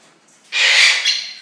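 An Eclectus parrot gives one harsh, grating screech, just under a second long, with a brief catch near the end. No other sounds are heard.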